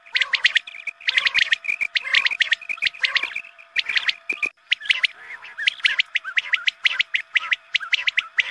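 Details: Quail calls used at dawn prayer time as a hunting lure. Rhythmic clusters of sharp, high chirps repeat nearly every half second, busy and continuous over a faint hum.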